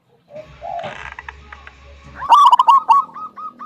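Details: Local wild zebra dove with a big 'kung' voice, used to lure other doves into song; muffled rustling and faint notes at first, then a loud, rich rolling coo phrase of quick hooked notes.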